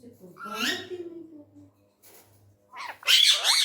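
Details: Angry tame male Indian ringneck parrot, indoors: a scratchy, wavering call early on, then a short pause before a loud, harsh, noisy screech bursts out at the end.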